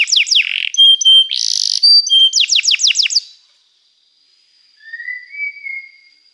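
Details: Canary song: a few sharp downward notes, short buzzy bursts and whistled pips, then a rapid run of falling sweeps, a pause, and a soft low warble at the end.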